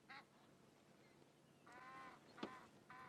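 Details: A pair of Egyptian geese at dawn trade loud, nasal honks in short bursts with a sharp hiss between them, a morning exchange said to be the female honking and the male hissing; faint outdoor background.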